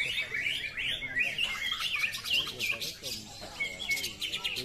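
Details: Greater green leafbird singing at a contest, a fast run of high warbled whistles and slurred chirps in a continuous tumbling phrase, with other birds and crowd noise behind.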